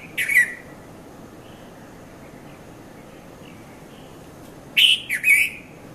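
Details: Morning chirps of a red-vented bulbul (Konda Kurulla) at Mount Lavinia, Sri Lanka, between 5:30 and 5:40 a.m., 2018, camera-recorded: one sharp note opens, then a quiet stretch with soft distant notes, then a quick pair of bright chirps.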